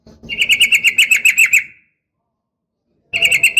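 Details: Female sooty-headed bulbul calling to provoke males, 'uplik tarung' style: a fast, even rattling trill of about a dozen ringing notes, a pause, then the trill starting again, over low background rumble.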